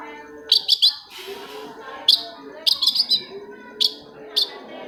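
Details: Lure recording of a long-tailed shrike, meant to set silent shrikes singing: groups of crisp high chirps, some doubled or tripled, spaced about a second apart, with faint lower warbling behind.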